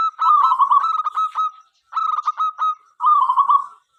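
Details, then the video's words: Local Indonesian zebra dove (perkutut lokal) singing actively to invite other doves to sing: three rolling, burry coo phrases, each a rapid string of pulsed notes at one steady pitch, separated by short silences. "perkutut lokal gacor suara MENGGODA apapun jenisnya 5 detik nyaut."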